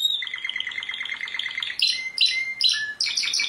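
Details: World champion canary singing a quick series of dropping notes followed by bright, scattered high chirps and short whistles, with light background hiss.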